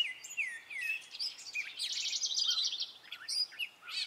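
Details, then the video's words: Spring song of a male gray catbird: a jumbled series of short notes, slurred whistles, buzzy chatters and mews, some notes repeated, delivered in a nonstop varied stream. "Gray Catbird singing his spring song!"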